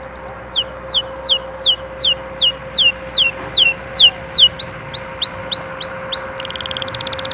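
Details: Canary song played to encourage chicks to sing and prepare females: clear whistled notes dropping steeply in pitch, repeated about every half second, then upswept notes and a closing rapid trill, with a faint steady hum.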